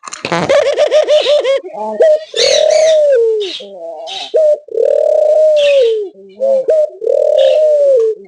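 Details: Australian dove giving long, drawn-out tonal coos that rise slightly and then fall, about every two seconds, mixed with brief rasping and chattering sounds.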